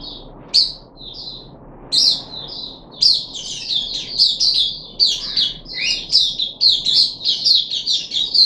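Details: Puff-backed bulbul in a cage on 14 July 2021, third day of deworming: starts with a few spaced chirps, then breaks into a dense, lively chatter of high twittering and squeaky notes.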